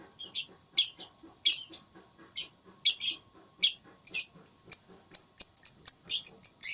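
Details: Lovebird competing in a tarung suara singing contest, gacor and ngekek: a long series of shrill, high chirps that starts spaced out, then quickens into a dense, rapid chatter toward the end.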